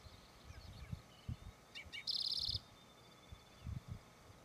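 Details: Spotted Towhee singing in the wild at Charles M. Russell National Wildlife Refuge, Montana, USA. A single song: a couple of quick lead-in notes, then a high, dry buzzy trill of about half a second, with soft low thumps in the background.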